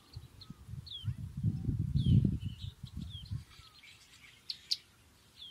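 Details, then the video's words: Sunbird giving scattered high, thin chirps and short sliding tweets, faint above loud low rumbling handling or wind noise that swells in the middle then fades. "Nature - Sunbird"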